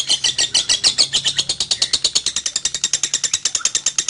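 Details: Lovebird song played to set other lovebirds singing: a loud, nonstop, rapid chatter of high, harsh notes, about seven to eight per second, held for the whole stretch.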